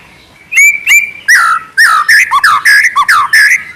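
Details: White-rumped shama in full trotol-style song, two clear upslurred whistles followed by a fast string of curling, falling whistled notes, very loud and close.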